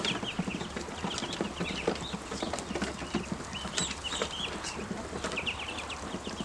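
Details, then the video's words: Hungry ducklings producing bursts of quick, high-pitched peeps in small clusters, several birds calling at once, against a constant low hum and light rustling. "Ducklings have grown and are making more sounds, especially when hungry"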